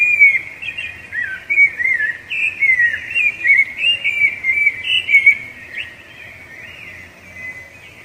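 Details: Strong song of a rufous-bellied thrush, sung to demarcate territory and court the female: a rich run of whistled, warbling notes for about five seconds, then quieter, with faint high chirps of another bird.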